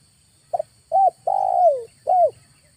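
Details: In August, a Spotted dove lure phrase: a small introductory note, a short arched coo, a long wavering coo sinking toward the end, and a last rounded coo, clean and mellow.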